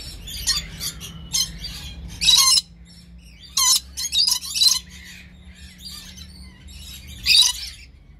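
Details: Captive breeding pair of red lories calling: harsh, raspy, broadband screeches in short bursts, several spaced irregularly, some louder and longer, over a low steady hum.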